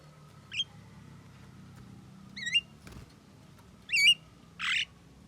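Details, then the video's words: Javan myna described as able to talk, uttering wavy, voice-like harmonic calls in turn, followed by a broad harsh burst near the end. A faint click sounds midway, with steady low background hum. "JALAK KEBO BISA NGOMONG"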